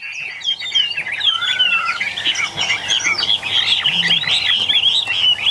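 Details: Caged Chinese hwamei number three in song, a lively flowing warble of whistled slurs and trills, with a lower descending whistle early on, steady and loud.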